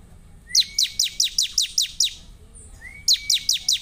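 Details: Bar-winged prinia (ciblek) song: a rising whistle leads into eight evenly spaced, sharply falling chirps about four per second. A pause follows, then a second whistle and another run begins.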